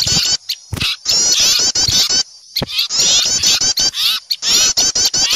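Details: Small birds alarmed by an owl, recorded as a lure: a loud chorus of sharp, high twittering calls in irregular bursts separated by brief silences, many birds calling over one another.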